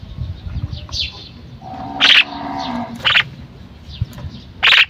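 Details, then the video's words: Calling female common myna: brief harsh squawks and thin slurred whistles, with a sustained lower harmonic tone from another animal in the middle and soft background rumble. "The common myna (Female) | myna calling"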